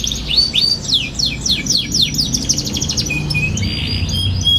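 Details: Young canary in lively twittering song, meant to teach other young canaries: fast run of high downslurred chirps, then a softer trilled buzzy passage, with low background hum.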